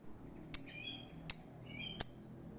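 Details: Lovebird used as a lure to stimulate a lazy lovebird to sing: three sharp, shrill chirps about 0.7 seconds apart, with faint thin whistles between them and a steady high tone in the background.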